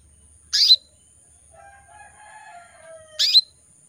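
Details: A female canary in breeding condition calls to draw males: two clipped, piercing tweets about two and a half seconds apart, each sliding downward. Soft faint whistles fill the gap.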